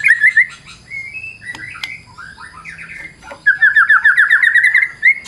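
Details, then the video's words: Varied lure song of a fighter White-rumped shama: short repeated whistles, softer slurred phrases, then a fast steady series of bouncing notes closing with a rising whistle. "Super figther Murai Batu Full Vareasi"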